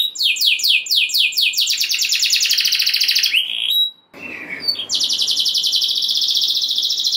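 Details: Canary singing to rouse others of its kind: falling whistled notes, then a fast buzzy roll, a sudden short gap, a rising note and another long rapid high trill.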